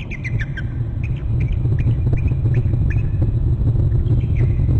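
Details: Bald eagle arriving at its nest on Hornby Island in January, captured by a territory camera: repeated thin, chittering descending notes in loose series throughout, partly masked by heavy low-pitched wind or rumble.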